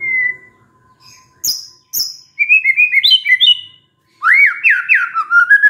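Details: White-rumped shama song used as a lure to set off stressed birds: a high whistled note, then sharp piercing upslurs, then quick bursts of bright warbling trills that rise and fall.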